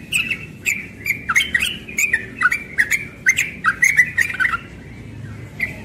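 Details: Young yellow-vented bulbul in ropel song in the morning: fast runs of bubbly, chattering notes with crisp clicks, about a dozen in four seconds, then trailing off into quieter notes. Low hum in the background.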